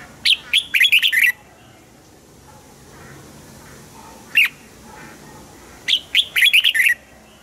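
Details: Song of a caged red-whiskered bulbul, played to excite other birds: a fast chattering run of bright warbled notes, a single sharp whistle after a pause, then another rapid string of tumbling phrases.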